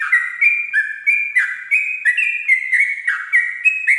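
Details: Sooty-headed bulbul singing ropel at dawn, tutor audio meant to be played softly; lively whistled couplets, each high note sliding into a lower one, about four per second.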